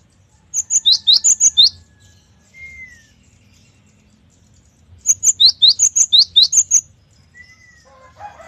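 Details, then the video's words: Energetic gelatik batu, the Cinereous tit, delivers two runs of about six bright, rapid upslurred notes with high ticks, separated by a thin, slightly falling whistle; a calm, clean recording. "GELATIK BATU GACOR || the melodious sound of stone sparrows"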